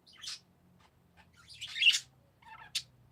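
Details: Several parakeet chirps of uneven length: a short scratchy note, a longer buzzy squawk, then a few quick thin chirps ending in one sharp tweet.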